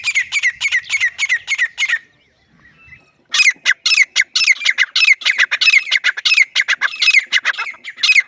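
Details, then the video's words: Grey francolin (teetar) calling loudly in a village setting: a rapid run of harsh, squeaky repeated notes, a brief pause near two seconds, then a longer burst of the same loud, grating phrases. "Most Powerful Voice of Grey Partridge | Francolin High Quality Sounds | Teetar Loud Awaz"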